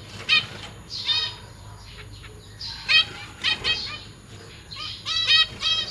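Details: Caged zebra finches, a pair with three juveniles and three newly hatched chicks that have left the nest, while the parents are busy feeding. Nasal, harmonic calls come in bursts of two to four, with soft chatter between them.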